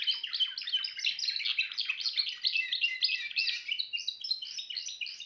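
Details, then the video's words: Timbrado canary pouring out a fast, unbroken warbling song of trilled high notes, with a slight fall in pitch midway before rising again. "meilleur chant canari l chant canari timbrado"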